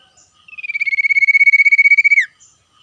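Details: Common iora in the wild, calling back and forth with wild birds. A single pulsed trill, lower-pitched than usual, holds steady for about one and a half seconds and finishes with a brief drop in pitch. Faint short notes come before and after it.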